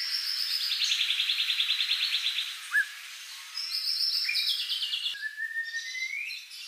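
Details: White-rumped shama singing a varied song rich in inserted phrases: long buzzy, rattling trills at high pitch, a brief sharp chip, then another buzzy run and a thin rising whistle, over a faint hiss.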